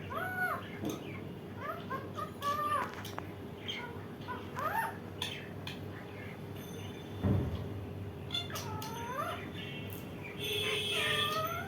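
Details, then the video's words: Indian ringneck parakeet giving repeated bent, whining calls in clusters, with a soft thud partway through and a hissing noise at the end. "Indian ringneck ! mithu mithu🦜 very funny parrot"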